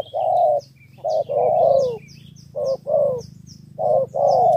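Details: Ca Mau spotted dove, Vietnam, cooing in the three-note 'thổ 3 âm' manner used to win over wild doves. Three low, rolling coo groups are separated by pauses, against high, slurred chirps from other birds.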